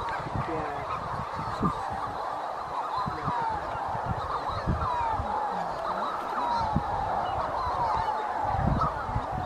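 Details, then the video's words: Manx shearwaters calling together at night near the North Haven on Skomer, a steady chorus of harsh, crowing and cackling cries that overlap throughout, with low thumps and rumbles beneath. "The Sound of Manx Shearwaters"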